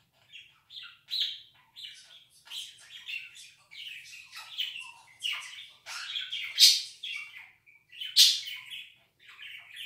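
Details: Pet budgie's 'laughing' chatter, a mix of raspy squawks, chirps and warbled phrases in short bursts, rising to two loud, harsh shrieks near the end.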